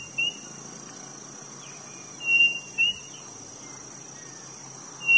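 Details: A quail in Brazil's Nordeste gives short, clear whistled notes at irregular intervals, some paired, over a steady high-pitched drone of crickets.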